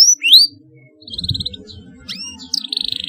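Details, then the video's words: Canary chirps meant to stimulate young birds learning to sing: high, sharp rising chirps and a short buzzy trill, over a faint low rumble of background noise. "CUIT CUIT PALING AMPUH MERANGSANG BUNYI PAUD BELAJAR BUNYI"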